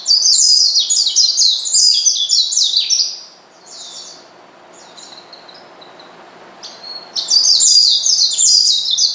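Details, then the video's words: Oriental white-eye provoking a rival with its calls: a dense three-second run of rapid, high, squeaky twitter notes, a quiet gap with faint chirps, then another loud rapid burst. "pleci manggil lawan bikin lawan emosi dan edan"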